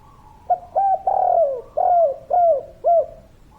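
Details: Dense, energetic cooing from a spotted dove (derkuku), kuk 3 type. Six hollow notes follow one another: short opening coos, a long sliding middle note, then shorter downturned ones, with faint hiss behind.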